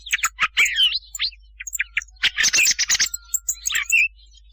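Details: Thrush sound used to lure birds for hunting at night, with twittering whistled notes, a loud burst of harsh rattling chatter, and a final rising whistle.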